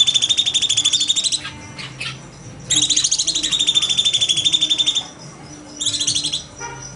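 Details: Cucak cungkok bulbul in 'nembak' shooting style, recorded as a master for training birds: a high rattling trill, a pause with faint chips, a longer two-second buzzy burst, then a short final rattle.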